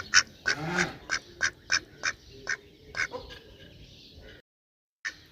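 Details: Duck giving loud, nasal quacks in an uneven series of about a dozen short calls over four seconds, then a brief silence and one more quack at the end.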